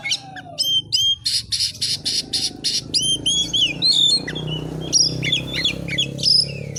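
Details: White-rumped shama in full song, opening with a rapid series of buzzy rasping notes, then a fast jumble of sweeping whistles and mimic-like chirps, against a constant low background drone.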